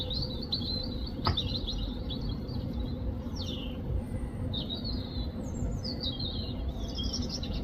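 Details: European robin singing in the UK: a series of thin, high, varied warbled phrases with short pauses between them, some rising and some falling, over a steady low rumble of background noise.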